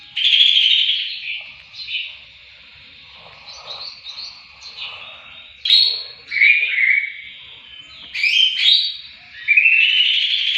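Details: Greater green leafbird singing as training material for other songbirds: rich, varied whistles and slurred notes in bursts separated by short pauses, some sharp high chips mixed in.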